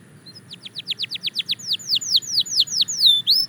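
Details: Belgian canary singing, a steady run of quick descending whistled notes that slowly lengthen and grow louder, about two per second later on, over a faint high background tone.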